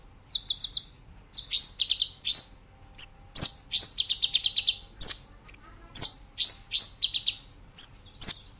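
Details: Brown-throated sunbird song for training cage birds, busy and high-pitched, mixing rapid trilled bursts, sharp downslurred chips and short level whistles in quick succession.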